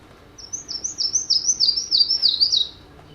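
Yellow-throated Warbler song: a bright, high series of about eight clear slurred notes cascading gradually downward over two seconds, lacking introductory notes or a closing chip.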